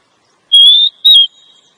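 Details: Female Oriental magpie-robin call used to stir a male to sing and come into breeding condition: two clean whistles, the first long and slightly rising, the second shorter and sliding down.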